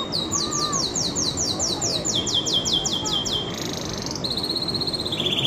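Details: Singing canary delivering rolling tours of quick repeated high notes, the pattern changing several times, ending in a bright stepped trill, with a steady rumbling noise underneath.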